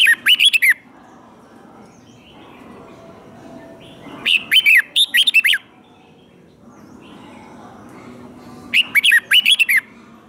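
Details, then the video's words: Red-whiskered bulbul in captivity singing its combat song to train other birds: three separate bursts of cheerful, slurred whistled notes, roughly every four seconds, with near silence between them. "Kích Chào Mào Hót Ché |Kích chào mào hót đấu.Luyện giọng hay ép bổi sổ bọng và căng lửa,chào mào ché"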